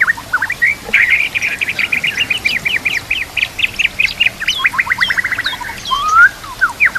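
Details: White-rumped shama song played mornings and evenings to train murai batu, with nature sounds and water trickling; a long fast rattle of repeated chips runs into varied whistles and ends on a strong rising slur.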